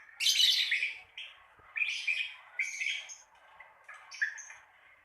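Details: Lovebird ngekek used to encourage novice lovebirds to vocalise: a loud raspy burst, then repeated short, scratchy chirps roughly three or four per second, tapering to softer squeaks.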